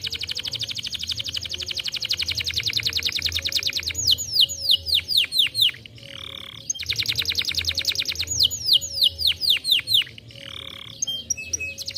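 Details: Canary song played to encourage other canaries to sing: two long runs of rapid, buzzy trilled notes, each ending in sweeping whistled phrases, with a short pause between the runs.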